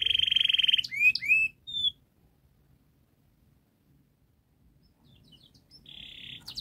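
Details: Canary tutor song meant to lure young canaries into singing early. A dense buzzy trill and a few sharp whistled sweeps give way to near-silence, then a brief buzzy roll returns at the end.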